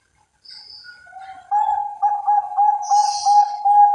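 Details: Caged Bangkok perkutut, a zebra dove bred in Central Java, Indonesia, begins with faint soft cooing. It then breaks into loud, rapidly pulsed low coos, about two or three per second.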